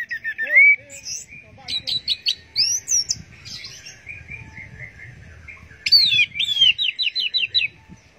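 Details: Orange-headed thrush teler song: whistled upslurs, short stuttering chirps, softer warbling, then a loud run of quick looping whistled notes.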